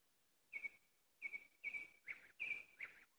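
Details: Nightingale song phrases: loud, clear whistled notes with rattling edges, given in five close bursts at steady high pitch, some ending in a short downward slur.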